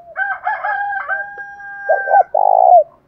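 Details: Spotted dove, male and female calls used to lure and provoke fighting; a long steady wavering two-toned call from another bird, then a loud two-note and long burred coo at the end.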